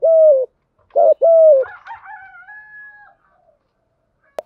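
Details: Spotted dove giving Thổ Gù style coos meant to draw in wild doves: two low hollow coos open the clip, then a higher drawn-out harmonic call trails off, ending with a sharp click.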